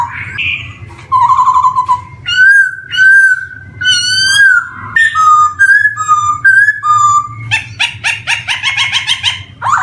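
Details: Varied song of a black-throated laughingthrush (poksay hitam) used to coax young birds beginning to sing: a mix of clear level whistles, warbled phrases and, near the end, a rapid chattering burst of harsh notes.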